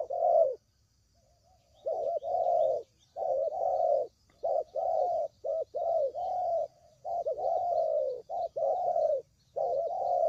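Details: Spotted dove calls used to lure the birds into traps: after an opening coo and a pause, a run of soft, hollow low notes follows in uneven groups, with faint thin chirps above.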